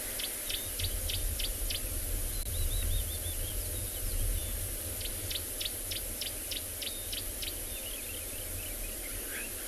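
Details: Green-backed Camaroptera calling on a December morning game drive in a South African reserve gives bursts of dry, snapping clicks, several per second, with other thin bird trills and a steady low rumble of engine or wind beneath.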